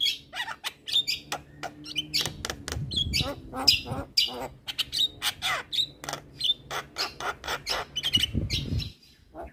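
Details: Javan myna master song for mynas that sing little, a long, busy stream of harsh squawks, clicks and short whistles over a faint low hum.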